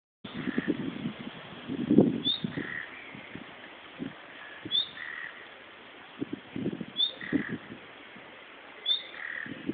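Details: Common nightingale calling, not singing, from bushes in Berlin: a thin, high, rising whistle repeated about every two seconds, with low thumping and handling noise in between.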